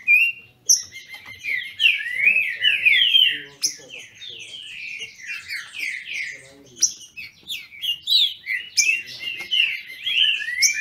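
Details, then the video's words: Captive green-winged saltators from a registered Brazilian breeder singing in contest. Dense overlapping whistled slurs and chattering notes run almost nonstop, with faint low background sounds. "Trinca ferro disputando!!!"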